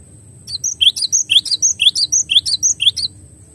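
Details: Cinereous tit (glatik batu) in a clear master recording: a fast run of about fourteen high, sharp chirps, some rising and some dipping, about two per second, over a faint low hum.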